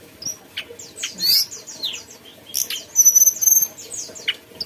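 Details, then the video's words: Sparse mountain tailorbird phrases: quick falling chirps, then a long thin high whistle over a pulsing series of notes, with short gaps between the calls. "tledekan gunung gacor ocehannya"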